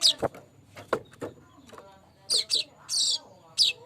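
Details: Lure song of the streaked weaver (manyar kembang): scattered short chirps and lower rasping notes, then a cluster of bright, high chirps and one longer buzzy note near the end.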